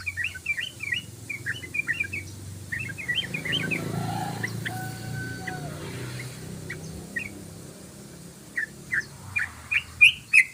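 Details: Yellow-vented bulbul giving ropelan song: a fast string of slurred chirps at the start, a quieter stretch with a thin level whistle, then loud spaced chirps at the end.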